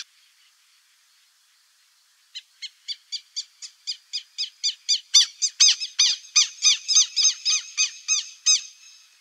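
A buff-necked ibis gives a loud series of harsh, metallic honks, about three or four a second, swelling steadily in volume after two quiet seconds.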